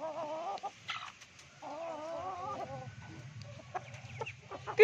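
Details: A kept Ayam Ketawa, the laughing chicken, gives a long wavering crow in two drawn-out undulating stretches with a brief break between, followed by quieter clucks and a person speaking nearby.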